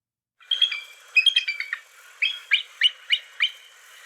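A bald eagle gives a high, thin chittering: a quick run of squeaky notes, then about six sharp piping whistles spaced roughly a third of a second apart.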